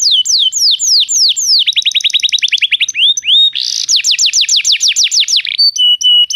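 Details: Canary song played to make a canary sing: descending whistled notes, a quick rolling trill, a short burst, another series of falling whistles, then a steady high whistle.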